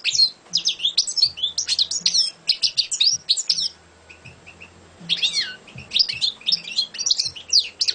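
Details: Champion European goldfinch singing a fast twittering song of sharp, buzzy, up-and-down notes in dense bursts, with a short pause in the middle before the chatter resumes; a low hum runs underneath.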